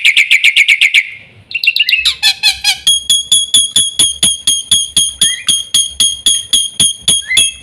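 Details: Black-winged myna delivering a quick harsh burst, a tumbling squeaky phrase, then a long evenly spaced series of sharp, metallic repeated notes.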